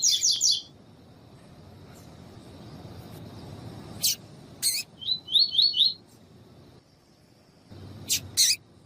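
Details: Female double-collared seedeater calling, used to train and excite tournament males of the tui tui style. Scattered sharp, clicky high chips alternate with a tight burst of four quick, rising, whistled notes amid quiet background hiss.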